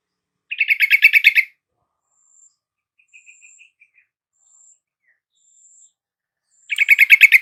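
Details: Yellow-vented bulbul lure song for a caged bird that has gone quiet: two rapid bursts of a dozen clipped, bright notes each, separated by a pause with a few faint soft notes.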